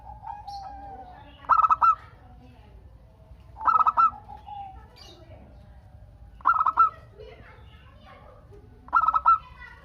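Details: Zebra dove of local stock in full voice, its song meant to make other doves answer. Short bursts of rapid, bubbling coos repeat roughly every two to three seconds, four bursts in all, with a faint low hum between.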